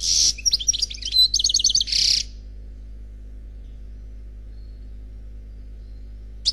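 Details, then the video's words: Khalwi-style song of an unpaired male European goldfinch taken from a CD: harsh buzzy notes frame a quick twittering trill over two seconds, then near silence with one faint final chirp. "Chant Chardonneret Khalwi Célebataire CD"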